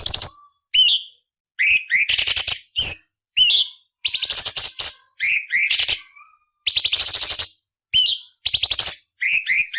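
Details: ["A cucak cungkok delivers dense sequences of grating rasps mixed with short upslurred whistles, a 'beset nyerecet kasar' training song for murai, cucak ijo and kacer."]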